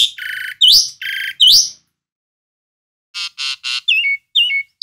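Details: Loud, varied song of a pet Asian pied starling: two rasping buzzy notes each followed by an upswept whistle, a short pause, then three harsh bursts and falling whistled chirps.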